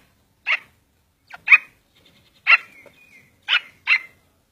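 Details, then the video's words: Grey francolin, called Sindhi or Irani teetar locally, giving short harsh notes about once a second, with faint thin whistled tones trailing between some of them; otherwise quiet background. "sindhi teetar ki boli - Irani Teetar speaking - Grey francolin Bird"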